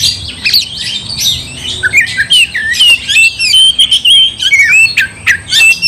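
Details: Oriental magpie-robin singing loudly to provoke another into fighting: a dense run of whistled, slurred notes and harsh chattering phrases, varied and nearly continuous, with a faint steady hum underneath.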